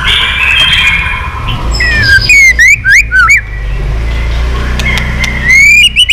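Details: An aged, wild-caught white-rumped shama in fighting condition, tail flicking nonstop, gives loud whistled bursts with steep upward slurs and dry clicks between stretches of low rumbling traffic-like noise.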